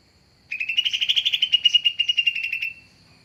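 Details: Green leafbird (cucak ijo) giving a lure call for bird trapping: a loud, fast, even trill of clear chirps lasting about two seconds, steady in pitch and then fading out, with little background noise.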